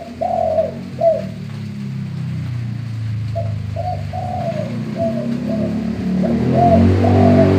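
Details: Manggung song of a male spotted dove, bongor or gembur voice, played to draw other doves into singing; two quick coos, a gap, then a string of mellow coos over a steady low hum.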